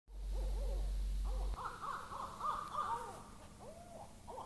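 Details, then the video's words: An owl in Topsham, Maine, on 25 September 2015, gives a quick run of arched, wavering hoots, about four a second, some rising higher and brighter; a low rumble fills the opening moment. "Owl making noises"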